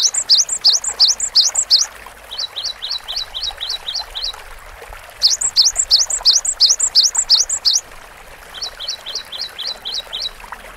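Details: Vigorous Cinereous tit song in repeating bouts: quick high two-part whistled phrases followed by trains of short sharp notes, the pattern cycling several times with short pauses.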